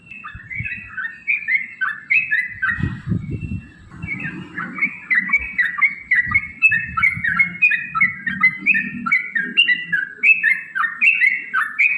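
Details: Yellow-vented bulbul in a rapid-fire fighting song played to goad other bulbuls into singing: a brief pause, then a steady stream of liquid, chattering whistled notes that rise and fall in tight clusters, with low background rumble.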